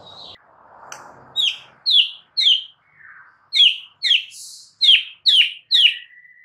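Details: White-rumped shama song meant to trigger a quiet bird to sing: loud downward-sweeping sharp notes repeated about twice a second after a soft noisy start, ending in a thin held whistle.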